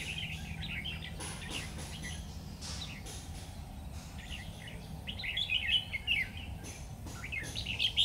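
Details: Red-whiskered bulbul, a Lung tom bird used as a decoy during trapping on 12 September 2019, gives bursts of short warbled, chirping phrases, louder near the end, over steady low rumbling noise and scattered clicks.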